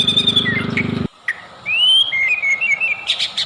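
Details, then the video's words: White-rumped shama lure song to trigger singing: a short buzzy trill, a pause, then a clear rising whistle followed by quick warbled notes. "PANCINGAN MURAI BATU,SUPER GACOR"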